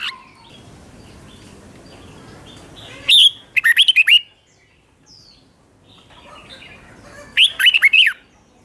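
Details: Red-whiskered bulbul in a cage, doubled-style song played so young birds learn it: two crisp phrases of quick repeated whistles and slurs, after a quiet start with faint low background.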